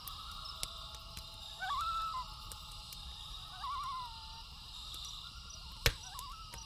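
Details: Common loon (Gavia immer) calling at night by a lake: three short, wavering, quavering notes near one pitch, each about half a second long, over crackling and popping from a campfire.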